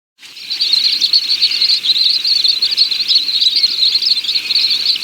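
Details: Little stint, a tiny shorebird, delivering a continuous high-pitched twittering of rapid, thin notes, run together into an unbroken stream lasting about five seconds with only slight dips in loudness; no other clear sounds.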